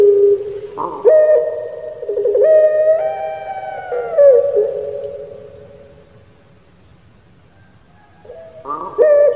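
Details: Kept puter pelung Barbary dove, Indonesia, singing the 'crying' style: a held coo that leaps into a rolling, gurgling phrase and then a long note slipping downward. A quiet pause follows before a new coo begins.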